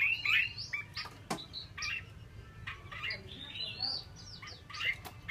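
A female Chinese hwamei gives bright, squeaky chirps and short slurred notes in irregular bursts of several per second, over a steady low hum.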